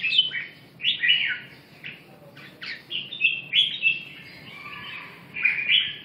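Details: Red-whiskered bulbul voicing short slurred whistled phrases, each a quick rising-and-falling warble, spaced by brief silences in a clean, quiet setting.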